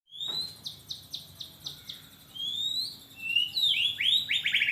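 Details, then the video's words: Young long-tailed white-rumped shama singing a loud, sharp song: a run of about seven quick high descending whistled notes, then rising slurred whistles and a burst of rapid, varied high chirps. "Burung Murai Batu Ekor Panjang Suara Pedas"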